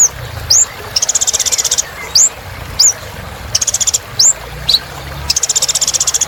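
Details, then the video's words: Kolibri ninja, the little spiderhunter, in full song for reviving silent birds: single rising high whistles spaced about a second apart, alternating with rapid buzzy trills lasting under a second. "Kolibri Ninja Gacor Untuk Terapi Burung Macet Bunyi"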